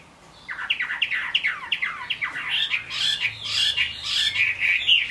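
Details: Chinese hwamei singing in the rain: a fast run of repeated rising whistles, roughly two a second, that turns louder, richer and more jumbled toward the end.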